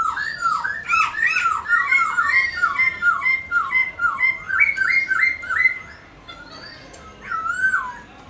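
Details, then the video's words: Black-throated laughingthrush singing and dancing, used to encourage pet laughingthrushes to sing: a fast, continuous string of varied looping whistles and chattering notes, then a brief pause and one more whistled phrase. "khướu múa hót bạc má"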